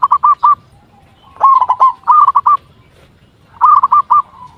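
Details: Local zebra dove lure call intended to set other doves answering: separated clusters of three or four crisp, clipped coos with silent gaps between groups.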